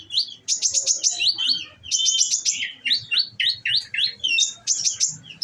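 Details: Olive-backed sunbird in a cage, fed nectar, firing off rapid 'nembak' volleys: clusters of very fast, sharp high chips, each burst of four or five notes, repeated steadily with short gaps.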